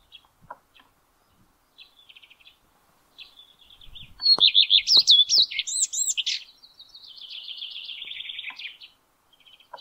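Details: Male common redstart singing from the top of a spruce in May 2022. After a few soft high chips, a loud phrase starts with clear whistled notes, then runs into a fast, scratchy, twittering trill lasting about two seconds before fading.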